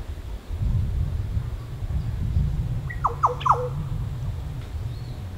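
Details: Green Oriole (Oriolus flavocinctus), Cattana Wetlands, Australia, on a very windy, hot November 2016 day. A watery, quick run of three or four liquid, downward-sliding notes in about half a second over a steady low wind rumble.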